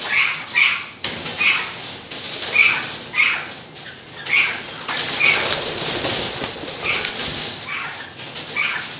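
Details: Golden-mantled rosella recorded in 2013, giving clipped, shrill notes spaced about a second apart, each with a thin whistled centre, amid loud fluttering wingbeats and a hissing background.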